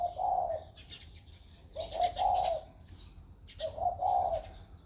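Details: Spotted dove showing a newly warm voice, 16 February 2020. Three full, throaty cooing phrases are evenly spaced about two seconds apart, each carrying a soft tremor, over faint rustling.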